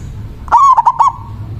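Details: Local zebra dove in manggung song, a lure for calling rival doves: a single loud phrase of one drawn-out coo broken into two or three quick stuttered notes, trailing into a faint steady tone.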